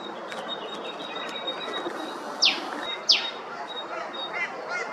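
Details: Eastern spinebill (Acanthorhynchus tenuirostris) in Queensland, Australia, gives two sharp, high notes that slur steeply downward about a second apart, over a steady hiss of background noise.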